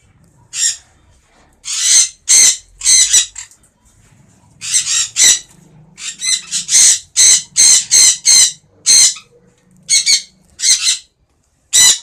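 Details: A baby sun conure gives loud, harsh, high screeches in rapid bursts, often doubled or tripled.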